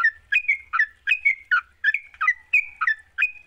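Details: Lure recording of a sooty-headed bulbul meant to prompt a lazy bird to sing: rich, gurgling whistled phrases, each dropping then levelling off, about three a second, with no other sounds.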